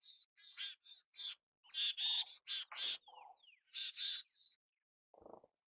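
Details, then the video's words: Mountain chickadee: a string of short, rough, buzzy notes with a few thin high slurs mixed in, then a soft low note at the end. "Canção do Chickadee da montanha! Mountain Chickadee Sounds! Chamada do Chickadee da montanha!"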